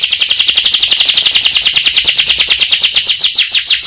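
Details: Canary singing a steady rolling trill: rapid, evenly pulsed high notes sustained for the whole four seconds, very loud and close.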